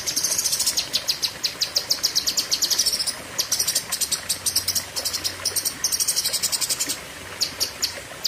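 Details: Cucak kinoi delivering a long, fierce 'tembakan' burst. Fast high chattering trills come in bursts of about two to three seconds, separated by brief pauses, over faint background hiss.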